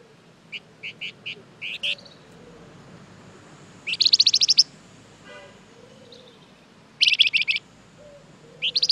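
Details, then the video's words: Flamboyan bird used as a lure for other birds: spaced single high chirps, then long, dense bursts of rapid, piercing chirps repeated every few seconds, with a soft dove coo and faint background hum. "Suara pancingan burung Flamboyan gacor terbaik , pasti nyaut"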